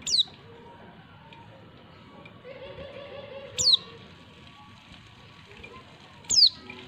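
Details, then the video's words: Female white-eye, used as a lure to stimulate males into calling: three thin, high, sharply falling notes, each a brief squeak about three seconds apart, over a faint, quiet background. "pleci betina perangsang jantan"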